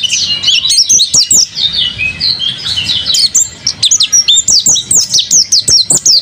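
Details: Mountain white-eye in full, lively voice: bright, very high chirps and slurred whistles pour out almost without a break, clean of other sounds.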